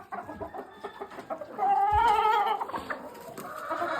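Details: Brown red cock let out to walk with barn hens that have not seen a mature cock in weeks; low clucks build into a drawn-out, wavering cackle, then fall back to soft murmuring clucks.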